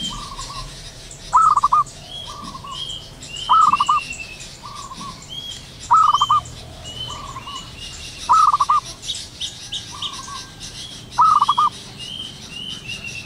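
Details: Morning call of a wild zebra dove: loud stuttering cooing bursts repeated roughly every two and a half seconds, alternating with softer rolled phrases, while other small birds whistle faintly above.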